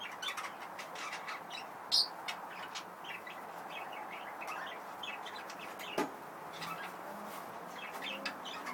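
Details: Breeding budgerigars giving scattered short chirps and warbles over a steady background hiss.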